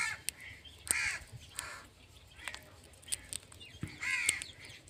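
A parrot gives harsh, screechy calls in two main bursts about three seconds apart, with softer chatter and sharp clicks between them.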